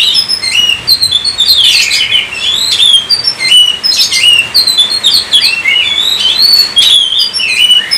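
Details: Oriental magpie-robin (kacer) from Indonesia in loud, continuous gacor singing. A rich, fast run of varied whistled notes, rising and falling slurs and sharp chirps, packed densely with hardly a pause throughout.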